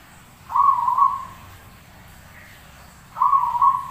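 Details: Zebra dove in full song for a masteran tutor recording: two quick, stuttered, bubbling coo phrases about two and a half seconds apart, each with a trailing tail, against quiet background noise.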